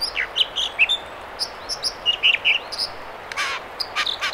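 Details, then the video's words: An American dipper sings in the Mamquam River spawning channels near Squamish, B.C.: a bright, high, bubbly string of short whistles and buzzy trills in quick repeated phrases, with brief bursts of rushing noise. "American Dipper"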